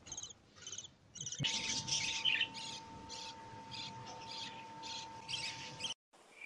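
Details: Newborn lovebird chicks, fed by their mother, give rapid, high buzzy begging chirps, about three a second, over a steady electrical hum.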